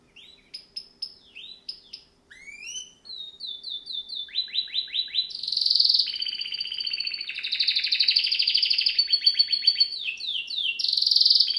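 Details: Extended canary song: sharp spaced chirps and rising whistles, a series of quick falling sweeps, then long loud buzzy trills that switch between rapid pulsed rolls and smoother high tones.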